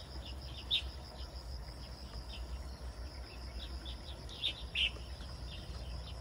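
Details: Bird calling outdoors: a few high, thin chirps, one early and two close together near the end, with a faint insect-like hiss and low rumbling background.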